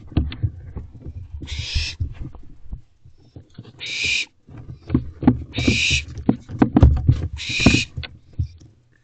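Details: Barn owls in a nest box quarrel over a mouse before dawn, 4:20 am, June 14, 2023. Four rasping hiss-screeches break through constant thudding and scraping of the birds moving about.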